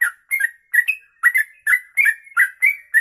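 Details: Rapid 'ropelan panjang' song of a yellow-vented bulbul (trucuk), a tutor recording: clipped, slurred whistled notes in quick doublets, nearly continuous, about three per second.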